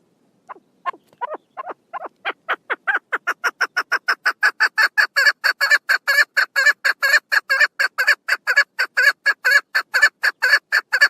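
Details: Female chukar partridge calling on 1 June 2022: a series of clucking chuck notes starting soft and sparse, then speeding up and growing louder into a steady, rhythmic run of about two notes per second.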